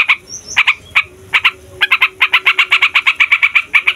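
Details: Yellow-vented bulbul in noisy 'gacor' rolling song used as a lure for wild birds: a few spaced chirps and a faint high whistle, then a steady fast run of bubbly repeated notes.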